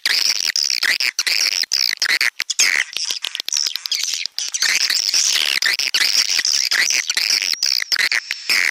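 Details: Swiftlet sound lure, stereo: unbroken, loud, high-pitched chattering twitter layered over a thin sustained whistle, packed with fast clicking pulses and wavering buzzy notes.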